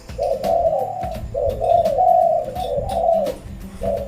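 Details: Decoy Spotted Dove kept in a cage, cooing nonstop: low, resonant, rolling coos in long connected phrases with brief gaps, over faint room noise and soft clicks.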